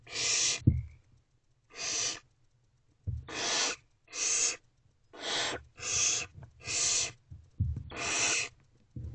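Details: Owls in a nest box at night, early morning hours, while an older owlet swallows a large piece of prey; eight long raspy hissing screeches repeated roughly every second, with faint thumps and scuffling in the box.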